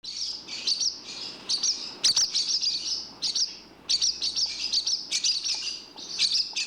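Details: Barn swallows give bursts of high, rapid twittering chirps, broken by short pauses, with quick scratchy notes mixed in and no other sounds.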